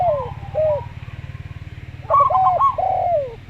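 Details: Local Zebra Dove (perkutut lokal), slow-style song: a quick cluster of trilled coos, then a long falling coo from a Javan derkuku dove. A pulsing low hum runs underneath.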